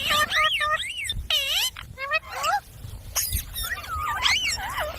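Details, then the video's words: Talking pet parrot copying human speech, producing looping, swooping voice-like notes and rapid rippling syllables in uneven phrases, with brief quiet gaps and a few soft knocks. "Talking parrot video| Parrot sounds videos Compilation | mitthu mitthu | parrot voice"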